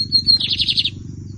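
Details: Bigodinho, the lined seedeater, in a 2023 season song competition: a thin whistled note sliding straight into a fast, bright, buzzy trill lasting about half a second, with a low steady hum beneath.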